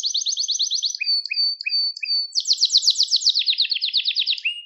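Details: Canary singing, meant to train young canaries: a fast high trill, then a run of paired notes each with a low rising slur, then a loud buzzing rolled trill, ending on a lower upward note.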